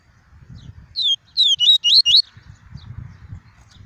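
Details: A caged double-collared seedeater sings the tuí tuí song meant to stimulate other birds: a phrase of five high, slurred whistled notes over about one second, with a soft low rumbling background throughout.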